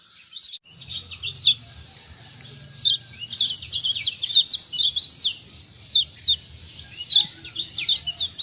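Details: White-eye called kecial kuning in Lombok, recorded to stir idle birds into calling: a continuous stream of high, thin, falling chirps with a faint low hum underneath.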